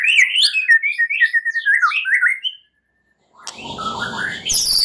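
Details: White-rumped shama at night, played to make birds sing: a quick run of bright rising and falling whistled notes for about two and a half seconds, then silence followed by broad noisy rustling.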